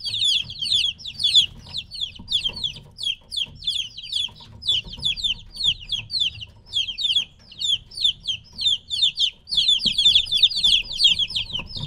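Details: A group of three-week-old chicks taken away from their mother call insistently, high sharp peeps sliding downward in irregular bursts, dense at the start and end with a thinner stretch in the middle, over low background hum.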